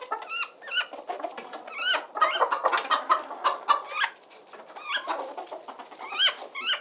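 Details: Chicken flock as relaxing background noise, many overlapping clucks with frequent short rising squeaky harmonic calls repeated throughout.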